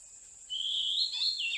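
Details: Wild Oriental magpie-robin in the mountains, recorded during bird trapping: one long, clear whistle rising gently and then falling away at the end, with a steady high electronic whine in the background.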